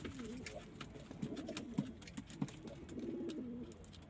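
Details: Kept pigeons, among local, Indian, Chinese and homing breeds, giving low, soft cooing notes in short bursts, some rising and falling, with human speech and clicking noises between them.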